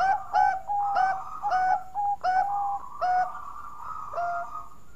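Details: Sweet-voiced Bangkok-type zebra dove, used to draw other doves into song, delivers rhythmic, bubbling coo notes in uneven bursts, some doubled, with a soft continuous chorus of cooing behind.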